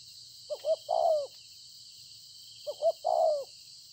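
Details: Spotted dove, freshly wild-caught field bird, recorded 26 September 2020, gives two coo phrases about two seconds apart, each two short clipped notes leading into a long, mellow, downward-sliding coo, with steady background hiss.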